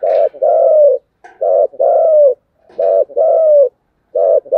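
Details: Continuous 'thúc gù' cooing of a spotted dove: soft, throaty two-part coos, short then long and gently falling, repeated steadily about every 1.4 seconds with brief gaps between phrases.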